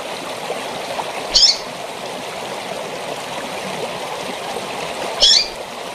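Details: A female double-collared seedeater gives two brief, high, thin chip notes about four seconds apart over a steady rushing waterfall, a recording played to stimulate males to sing.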